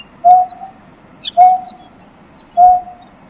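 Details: Greater painted-snipe (Rostratula benghalensis) gives three soft, low, hollow hoots, each about a second apart, over a faint background hum and a brief high chirp from another bird.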